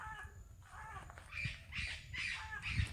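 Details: Parrots giving harsh calls outdoors: a few faint nasal notes, then four loud, grating squawks about half a second apart, with low background rumble and a sharp knock at the end.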